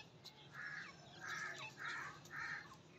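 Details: Female grey francolin (teetar) calling: four loud, harsh, rounded notes about half a second apart, each a broad burst centred in the upper-middle range, over faint background hiss.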